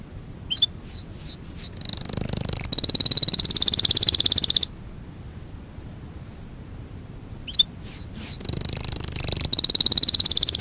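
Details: Canary song for training in two bursts split by a quiet gap: each begins with a few quick swooping notes and builds into a long, high, buzzy rolling trill.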